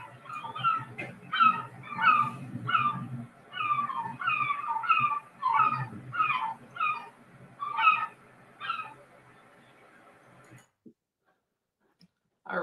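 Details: Herring gull on Île au perroquet, a small island in the Gulf of St-Lawrence, giving a loud series of yelping, laughing notes, about a dozen at a fast steady pace, over a low rumble of wind or surf.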